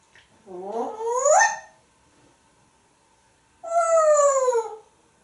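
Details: An African grey parrot, a male hatched in 1997 and kept in a Texas home, talks in the shower, his favourite place to talk: two drawn-out, voice-like utterances, rising then gently falling, over a steady faint background hum.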